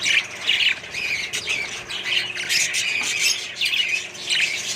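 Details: Colony of Australian budgerigars kept with other birds, filling the air with dense, overlapping chirps and harsh squawks that rise and fall in quick bursts, with no pause in the chorus.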